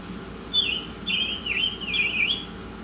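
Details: Oriental magpie-robin kept as a tutor bird, singing a continuous warbled whistle that wavers up and down in smooth loops, fairly soft, above a low steady hum.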